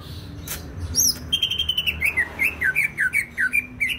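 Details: Greater green leafbird from Banyuwangi, East Java, singing persistently: a brief high note and clicks, then a lively sequence of looping whistled notes, about three per second, each dipping and rising.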